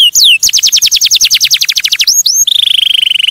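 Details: Canary song: a few sweeping whistles, a rapid run of descending notes, then a smooth, very fast rolling trill.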